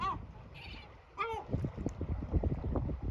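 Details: An adult male yellow-legged gull (Larus michahellis) scolding its chicks to go to their shelter to rest gives three harsh, ringing calls that drop in pitch; low rumbling background noise follows in the second half.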